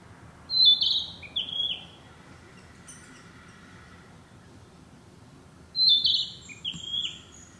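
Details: Narcissus flycatcher, a summer visitor breeding locally, singing in woodland: two bright whistled phrases about five seconds apart, each starting high and stepping down in short slurred notes, over a quiet low background hum.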